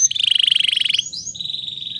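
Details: Lively canary singing with pauses, meant to prompt stalled canaries to sing again and to tutor two-to-four-month-old birds: a rapid buzzy trill of about twenty notes, rising slides, then a steady drawn-out whistle.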